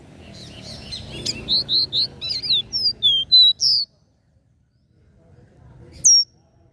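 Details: Capped seedeater (caboclinho) singing the regional three-note 'Dó Ré Mi' song, offered to stimulate other caboclinhos: a run of about ten clear, high whistled notes, some slurred and rising, then quiet and one final sharp note; low background hum.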